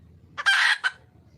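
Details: A single call from a red junglefowl hen seeking a male. A brief lead-in note swells into one loud, harsh, rasping squawk, closed by a short clipped note, over a soft low hum.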